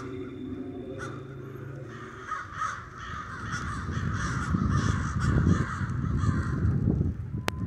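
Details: A murder of crows roosting in the Denver snow fills the air with dense, overlapping harsh cawing from many birds that grows louder toward the end. A constant low rumble sits underneath, and a sharp click sounds near the close.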